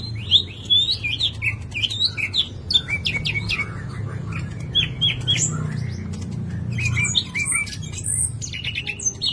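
A green leafbird sings a rapid, varied medley of sharp whistles, chirps and trills, mostly high-pitched, over a low steady background hum.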